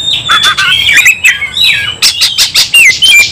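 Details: Fired-up Oriental magpie-robin in fighting song: a steady high whistle slides into scratchy chatter, then quick bright whistled slurs and sharp chips follow in a loud, busy run.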